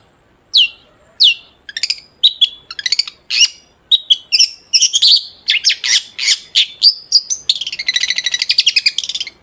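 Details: Long-tailed shrike in full song, used as a lure to get other shrikes singing: fast, varied, very high chattering phrases of squeaks, trills and harsh notes, growing denser and ending in a rapid scratchy rattle.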